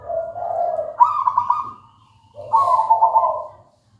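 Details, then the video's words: Local wild-type zebra dove in song: a low soft coo rising into a higher rippling trill, then a second phrase mixing low and high trilled tones, over a faint hum. "Suara merdu perkutut lokal alam gacor"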